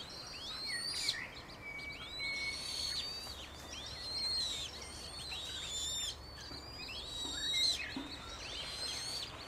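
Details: Eurasian coot with five surviving chicks of an original seven, in Beverwijk, the Netherlands. High, thin, squeaky whistles rise and fall in arches and overlap. Bursts come irregularly every few seconds over low hiss.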